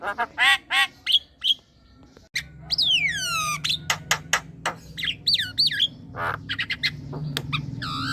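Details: Javan myna, lively song used to lure young and untrained mynas into calling: harsh arched notes and clicks, a long falling whistled slur, then twisting squeaky whistles and a nasal squawk over a low hum.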